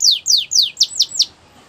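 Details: Canary training song for young birds, Russian and Belgian canary style: six quick descending whistled notes, the last three sharper and hooked, spaced about every fifth of a second, then quiet.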